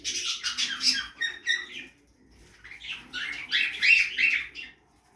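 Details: Budgerigars feeding in a backyard aviary give dense, fast warbling chatter of scratchy and squeaky notes, two busy bursts separated by a short pause, with a faint low hum underneath.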